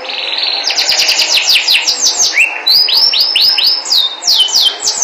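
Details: Canary song: a fast trill of falling whistled notes, then a rising swoop and slower repeated rolling phrases of clear downslurred whistles.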